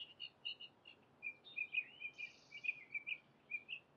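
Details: Bathing house sparrows give soft short chirps, paired at first then a run of quick rising notes, repeated several times a second over a faint hum.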